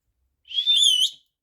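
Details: Pet male monk (Quaker) parakeet whistling on its owner's prompt: one clear, high whistle under a second long that holds steady, then lifts and wavers slightly before ending.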